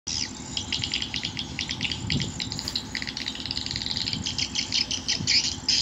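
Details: Swiftlet lure call for drawing birds to a nesting house: dense, rapid high chirps and twitters in quick bursts over a steady low hum.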